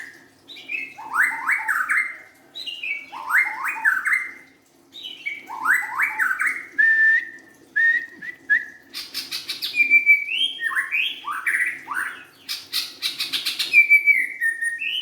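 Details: White-rumped shama, a young bird from the forest, repeating a phrase of descending then rising whistles about every two seconds, later shifting to level whistles mixed with sharp clicking chatter.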